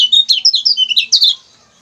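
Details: Lemon-bellied white-eye, used as a model for training songbirds, giving a quick series of high, squeaky twittering notes, about six per second, ending abruptly after a little over a second.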